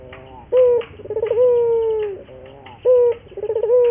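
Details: Indonesian local Barbary dove, training lure song: a short punchy coo, then a rapid rolling stutter easing into a long steady coo. The sequence starts again with another short coo and a roll.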